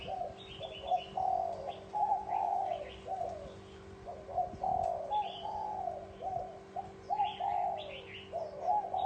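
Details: Spotted dove with a bronze-bell style voice calling to excite males and females, giving low, rounded coo notes in steady runs, several overlapping, while higher thin chirps from other birds sound above and a faint hum runs underneath.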